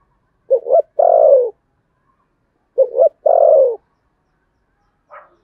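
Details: Contest cooing from a spotted dove in the Sấm Thổ style. A quick two-note lead-in is followed by a long, rich descending coo, and the phrase is repeated twice. A faint brief note follows.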